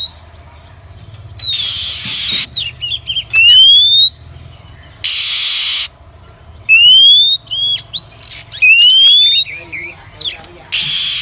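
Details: Female Oriental magpie-robin call used as a lure for trapping wild birds: clear rising whistles that slide upward, spaced irregularly, broken by several loud bursts of broad hissing noise and a few short chirps.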